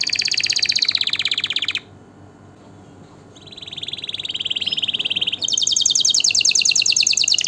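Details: A canary gives a rolling trill, falls silent briefly, then resumes with a lower buzzy trill rising into a bright high rapid roll.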